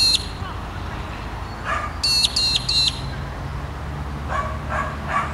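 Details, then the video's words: Australian Magpie-lark (Peewee, Grallina cyanoleuca) gives a quick run of three sharp, ringing notes with fainter notes around them, while a dog barks several times in the background. "Magpie-lark (Peewee) tweeting away"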